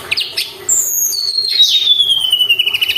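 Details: Sunda robin sings as a lure for caged songbirds: a few short chips, then a long, thin, high whistle that slowly glides downward, ending in a faint rapid flutter.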